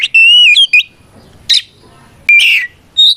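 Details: Oriental magpie-robin giving 'ngeplong' fighting song to call out opponents; a clear wavering whistle opens, followed by short harsh rasping bursts and a brief high whistle after pauses.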